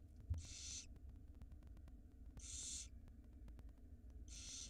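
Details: Hungry barn owl nestlings in an Israeli nest box at feeding time: three harsh, snoring hisses, each about half a second, spaced roughly two seconds apart over a low hum.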